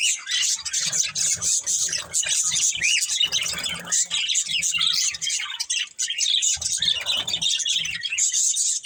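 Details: Budgerigars in a family flock warble and chirp nonstop, mixing squeaky notes, short squawks and quick rising whistles into a dense high chatter, with occasional faint low bumps.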